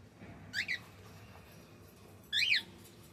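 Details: Male cockatiel calling twice, each a quick, clear, arched chirp in two parts, about two seconds apart.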